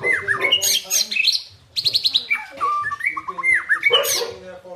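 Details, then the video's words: White-rumped shama in tembakan and isian song, mixing sharp downslurred whistles, dry rattles and bright chirps in a rapid varied sequence. "Dahsyaaatt Tembakan & Isian Murai Batu // AmAzing Bird chirping like no tommorow"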